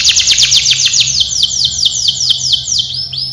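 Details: Canary singing a training song, a bright fast trill of downward-sweeping notes that slows into spaced, longer slurs before a brief new phrase.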